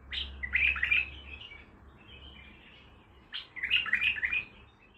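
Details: Baghdadi bulbul singing two lively warbled phrases a few seconds apart, each a cluster of quick liquid notes, with soft chattering between and a low hum beneath.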